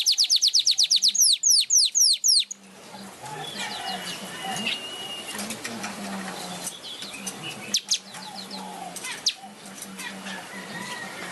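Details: Weaver in lively song, flapping its wings: a rapid run of sharp, high, downward-sweeping chips for about two seconds, then only a steady background hiss with a faint low hum.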